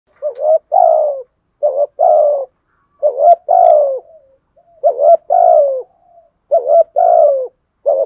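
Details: Spotted dove kept as a lure bird, giving 'thúc gù' coos mixed with 'gáy gọi' calling: low, mellow, rolling coo phrases, each about a second long, repeated in regular bursts with short silent gaps, no other sounds.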